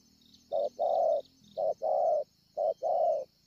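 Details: At Ngọc Hồi on 25 March 2020, a wild-caught spotted dove with a scarred chest coos three times. Each coo is a short soft note followed by a longer rounded one, evenly spaced about a second apart, over a steady high-pitched background hiss.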